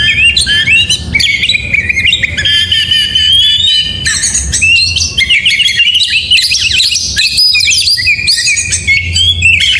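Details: Oriental magpie-robin singing richly in the morning, gacor style: long varied sequences of whistles, trills and scratchy chatter with few breaks, and low background hum.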